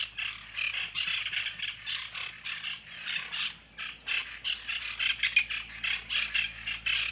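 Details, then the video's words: Plain chachalacas giving rapid, raucous repeated squawks in a steady pulsing rhythm, several birds seeming to call together in a loud outdoor chorus. "Chachalaca Song"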